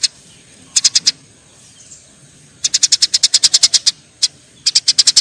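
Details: Eurasian tree sparrows in a fight: a short burst of four chirps, a pause, then a long rapid volley of high, sharp chirps and a final fast run.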